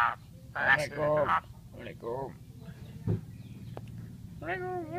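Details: An Asian pied starling in full voice mimics people talking with loud, slurred, speech-like harmonic phrases, some rising and falling, then a quieter pause and a final bent, wavering syllable.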